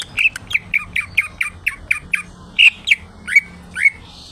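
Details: Greater green leafbird, called cucak ijo, singing actively: about a dozen loud chirping whistles with downward slurs, closely spaced at first, then spreading out with short gaps.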